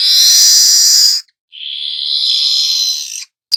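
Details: Two drawn-out, rasping buzzes with a brief gap between them, sung by a young weaver whose rolling song serves as a lure for training other birds.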